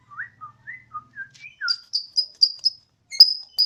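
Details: Home-kept Bornean white-rumped shama, 'odong-odong' singer said to sound like a siren, giving soft varied whistles that climb into loud, high, rapidly repeated notes.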